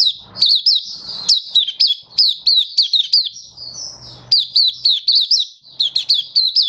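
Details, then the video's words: Malaysian white-eye, a hobby songbird, singing in Singapore on a warm, sunny, stable day, 20 March 2023. Long chains of high, jerky, swooping notes run nearly nonstop, broken by a brief softer warbling stretch with faint low rumbles. "Malaysian Mata Puteh Happy Buka Sing"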